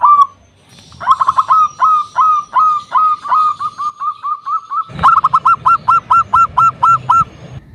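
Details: Loud local zebra dove serving as a lure to rile rivals: one opening coo, then a long steady series of bright repeated notes, gradually evening out, and a final crisp run of about ten evenly spaced notes.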